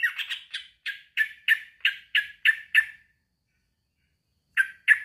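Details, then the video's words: A male sooty-headed bulbul calls out to a rival with about a dozen harsh, squawky chirps at a steady quick pace. Two more chirps follow after a pause of over a second. "kicau suara trucukan jantan memanggil lawan"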